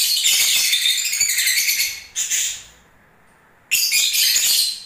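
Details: Breeding-season lovebirds sing a long stream of shrill, high chattering, then a short burst, a silent pause, and the harsh twittering starts again.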